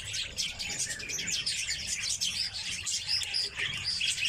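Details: A flock of captive red crossbills (Loxia curvirostra) chatters, with sharp, high chips and twitters overlapping almost without pause.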